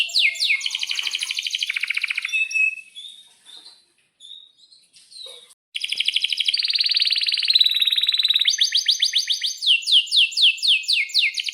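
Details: Domestic canary in full 'gacor' song with long 'ngerol' rolls, played as a lure and tutor for young canaries: dense rapid trills, a brief quieter break, then long rattling rolls and quick falling chirps.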